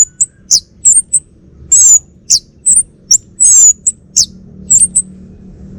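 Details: Male orange-headed thrush of the Bali type, a caged home bird, giving a series of separate high, thin whistled notes and short slurred chirps with brief pauses between them over a low background hum.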